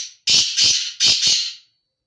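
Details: Loud grating call of a black francolin (kala teetar): four rasping, scratchy notes in two tight pairs following the tail of an earlier note, ending abruptly. Recording otherwise quiet.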